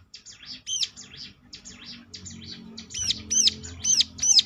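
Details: Prinia lure song intended to draw replies: soft buzzy high notes, then loud, ringing, looped chirps repeating about every half second toward the end.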